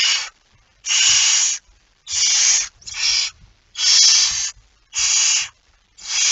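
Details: Barn owl with a mouse at night, 01:49 on 17 September 2019: seven rasping, breathy hisses of differing length, in quick succession, with soft scuffling and bumps in the pauses.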